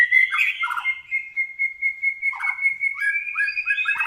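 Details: White-rumped shama at a training track, still lacking emotion, holds one long steady whistle for seconds while interjecting short buzzy chirps and rising notes.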